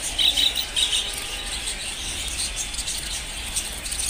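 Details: Many budgerigars at a budgerigar farm chatter together in a high, scratchy twitter, with brief chirping bursts standing out over a steady hiss.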